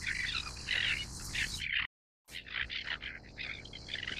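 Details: Harsh, grating great crested tern calls pile up in a thick chorus, broken by a brief silent gap near the middle before the rasping notes resume.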